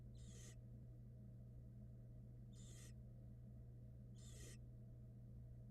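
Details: Barn owl nestlings in a nest box on a live camera in Florida, swallowing a rat; harsh, hissing screeches about a third of a second long, repeated every two seconds, over steady electrical hum.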